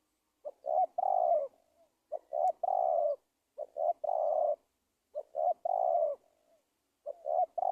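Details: Spotted dove calling, used as a lure to catch wild doves: five phrases about every one and a half seconds, each a stuttered short note or two and then a long mellow coo that sags slightly at the end.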